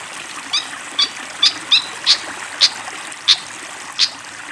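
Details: Fantail flycatcher over the hiss of running water: single sharp, high chip notes spaced roughly every half second to second, each a brief bright click, with no longer phrases between.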